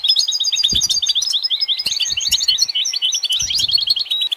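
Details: Dense, continuous goldfinch twittering: fast, tumbling high notes packed with liquid trills and a few drawn-out rising slurs, steady and lively for the whole stretch.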